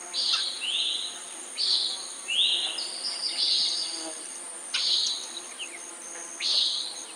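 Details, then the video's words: Common nighthawk giving a run of short, buzzy nasal notes at uneven intervals, some overlapping, over a steady high insect drone. "Common Nighthawk Sound"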